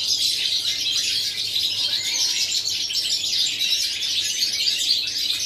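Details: European goldfinch song recorded on 11 September 2018: a dense, continuous stream of rapid, tinkling high twitters and buzzy chirps with no pauses, overlapping notes suggesting several birds singing together.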